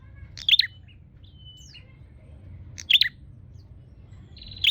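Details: Bar-winged prinia calling to find a rival: three bursts of sharp, high chirps at about two-second intervals, joined by faint thin whistles and a brief buzzy note at the end.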